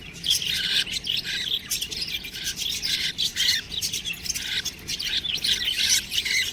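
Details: Budgerigar chicks chirping: a dense, continuous stream of high, scratchy chirps and short squawks that overlap and swell and fade throughout.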